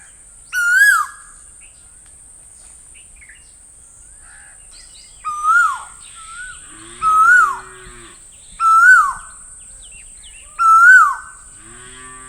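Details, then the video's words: Asian koel calling in a loose series of five whistled notes, each rising sharply then sliding down, spaced two to three seconds apart; a low drawn-out cattle moo sounds briefly between later calls. "Asian Koel Master Sound - Asian Koel Sound Effect"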